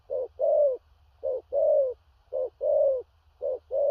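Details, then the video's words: Large spotted dove giving loud 'thổ rặc' style cooing with stuttered notes. Short-then-long coo pairs, the long note slightly falling, repeat evenly about once a second. Faint low hum throughout. "Cu Gáy/THỔ RẶC ÂM KHỦNG/Clip455/Nước Xa Thúc Kèm Gù Cà Lăm/Tướng Bộ To Bự"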